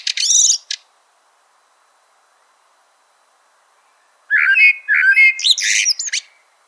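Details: Common blackbird: a short burst of high, scratchy twittering, then silence, then a fluty warbled phrase finishing with squeaky high notes.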